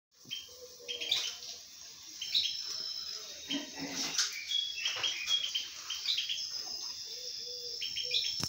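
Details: A pair of common bulbuls nesting in a house with two eggs give bright, chirpy calls and short twittering notes in quick bursts; a faint steady hum and a few sharp clicks in the background.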